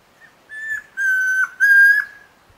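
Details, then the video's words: Song of a Chestnut-crowned antpitta recorded at Alto San Miguel, a pure whistled phrase of three steady notes, a shorter opening note followed by two long sustained whistles, over a faint hiss. "Guía Sonora de Aves - Alto San Miguel: Grallaria ruficapilla, Tororoi Comprapán"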